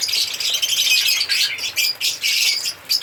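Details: Shrill, scratchy chatter from African lovebirds singing and chirping, fast high notes coming in quick bursts broken by short gaps.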